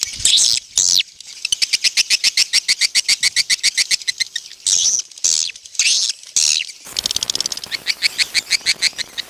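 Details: Clear swiftlet call used to draw swiftlets into a busy bird house: bursts of harsh twittering alternate with long runs of fast, evenly spaced high ticking chirps.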